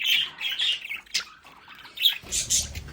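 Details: Captive budgerigars in their home play area giving harsh, buzzy squawks and high chirps in short irregular bursts, with some low rumbling near the end.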